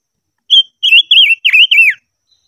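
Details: Silver-eared mesia singing in voice training, in the 'hót ché' style: five clear whistled phrases near one pitch, each wavering and bending down at the end, delivered in quick succession with short gaps; otherwise quiet.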